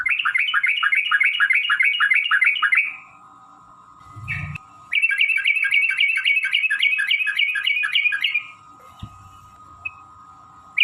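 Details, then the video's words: Yellow-vented bulbul giving a long fighting song in rapid ropel style, used as a lure to provoke other bulbuls to sing: fast bubbly chattering bursts of a few seconds separated by pauses, over a steady low electrical hum. "trucukan gacor TARUNG ROPEL PANJANG pancingan trucukan agar bunyi jadikan burung trucuk gacor EMOSI"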